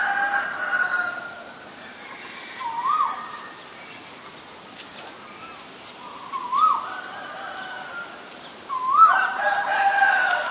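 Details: Asian koel, male and female, calling: three loud rising whistled notes, each sweeping upward and dropping briefly, spaced about three seconds apart over a steady background hum.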